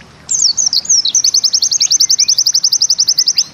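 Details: Very high, rapid 'nembak ziperrr' song of a Bustomi pleci white-eye: a few tumbling slurred notes followed by a long, steady machine-gun trill of sharp chips lasting over two seconds.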